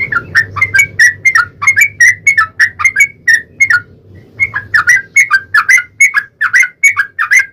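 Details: Long Yellow-vented bulbul song played as a lure to stir other bulbuls to sing: continuous bubbly, liquid two-note whistles, evenly spaced at about three per second, with one brief gap.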